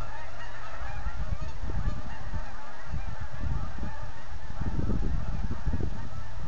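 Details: Autumn departure of thousands of geese from the Rideau Waterway south of Manotick, steady low honking spread throughout against a broad rushing background.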